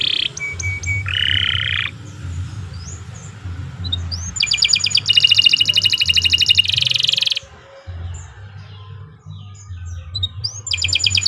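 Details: Canary song meant as a master recording for training birds: scattered chirps and a buzzy burst, then loud fast rattling trills in the middle, a quieter gap and a final trill, all set against a steady low rumbling background.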